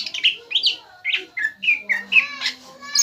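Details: Caged young greater green leafbird in a challenge song meant to make a rival bird answer: rapid run of bright chirps and clear slurred whistles, with a few lower, softer notes underneath.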